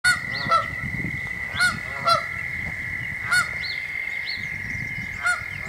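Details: Canada goose standing on an arbor, calling out danger: loud honks repeated roughly every half to one second, over a steady high insect-like drone and low rumbling background noise.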